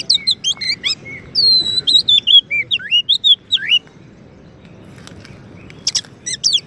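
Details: Song of a champion Oriental magpie-robin (kacer), meant as a master for white-rumped shamas: a fast sequence of whistles and slurred notes for about four seconds, near silence, then a few sharp high chirps.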